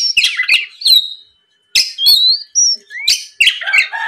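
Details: Oriental magpie-robin singing as a lure to provoke a rival: scratchy chattering notes and a drawn-out rising whistle, a pause, then further whistles and harsh rasps.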